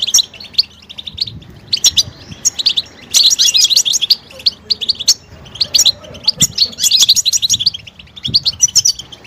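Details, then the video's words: European goldfinch mating calls that stir males to sing: scattered sharp chirps build into two dense, buzzy bursts of twittering, separated by sparser notes, with faint low background noise. "علاج سكوت الحسون بتبتة 💯💯 تحفز الحسون على التغريد والهيجان والجهوزية"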